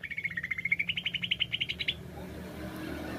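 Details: A fast, even trill of about twenty pulses from a greater green leafbird (cucak ijo), jamtrok wik wik style, climbing slightly in pitch for two seconds before stopping, followed by low background hum.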